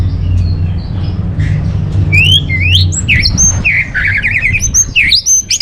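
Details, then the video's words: Northern Bali recording of an Orange-headed thrush singing, used as lure and master song for caged birds: varied phrases of rising slurred whistles, a warbled trill and high sweeping notes, over a low humming background. "Bikin Geger ANIS MERAH Dirumah Pasti Gacor || Pancingan sekaligus Masteran Burung Punglor"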